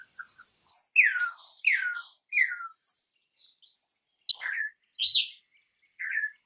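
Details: Campo troupial song, an imported bird kept for song training: a series of loud slurred whistles that sweep downward, followed by short rising and falling notes, with many thin high chirps from other birds and a steady high hiss.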